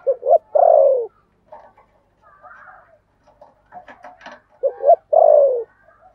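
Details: Spotted dove decoy, 'thổ' style voice. Low double hoots and a long falling coo open and close the passage. A mix of softer scratchy and chirping sounds fills the middle.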